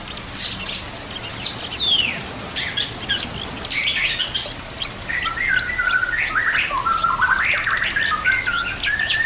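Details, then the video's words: White-rumped shama song against busy nature sounds and trickling water, from a recording used to train birds; dense chatter of high sweeping notes and buzzy bursts, followed by steadier flat whistles and short slurs. "murai batu gacor full isian"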